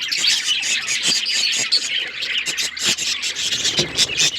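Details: Pet budgerigars chirping together, a dense, continuous chatter of high squeaky chirps, warbles and short squawks overlapping throughout with no pauses.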